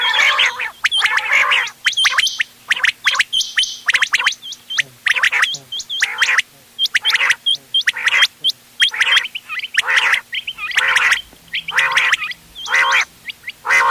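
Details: Quail calls, mixed, for hunting, 31 October 2025: a fast run of short rasping bursts, about one per second, interleaved with high thin whistle notes.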